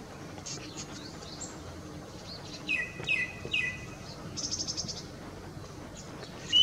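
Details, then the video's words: A male Tickell's thrush in Ladakh sings to a female in display: short, clear whistled phrases, then a quick buzzy trill and a rising final note, over a steady hiss of outdoor background noise. "Tickell’s Thrush Song"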